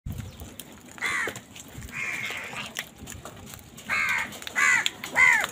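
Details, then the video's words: Crows squabbling with wild birds over food: a harsh cawing, one drawn-out rasp near the start, then three loud, hoarse caws close together, over a low outdoor background. "Crow bird unity anger and sound"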